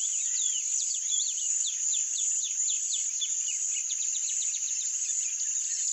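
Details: A Rusty-collared seedeater (Sporophila collaris) sings a brisk series of sharp, high, slurred chips and short whistles, repeated several times a second, against a constant shrill insect hum.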